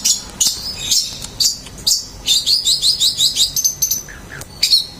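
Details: Long-tailed shrike singing a varied, high-pitched medley of scratchy chirps, quick trilled runs and thin whistles, given in irregular bursts with short gaps between phrases.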